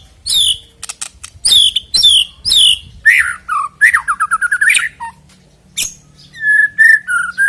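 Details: White-rumped shama singing, used to coax birds into song before a contest: sharp downward chirps, a fast descending trill of notes, then steady whistled phrases after a short silence.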